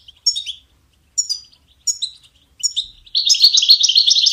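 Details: European goldfinch singing as a training aid for songbirds: four short two-part twittered phrases about a second apart, then a dense fast rolling trill.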